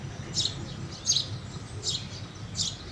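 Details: Four quick, shrill chirps from a house sparrow, evenly paced against a soft low background noise.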